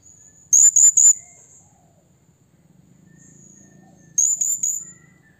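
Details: Calling out to a rival, a blue-crowned hanging parrot gives a quick burst of three piercing high notes, then after a pause a second cluster of shrill notes, with low rumbling hum beneath.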